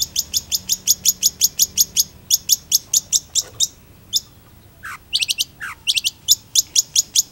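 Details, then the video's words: Long-tailed shrike in lively song, delivering evenly spaced sharp high ticks about five per second, a pause, two lower downslurred whistles, then more rapid ticking. "PENTET GACOR"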